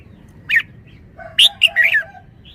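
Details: Red-whiskered bulbul delivering a short burst: one clear whistled note, then a rapid run of loud bright notes and a warbled slurred phrase, with a lower tone running beneath.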